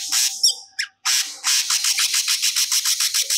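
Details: Cucak cungkok singing vigorously, pouring out stored song material: loud harsh squawky bursts, a brief pause, then a steady series of fast, rasping high pulses.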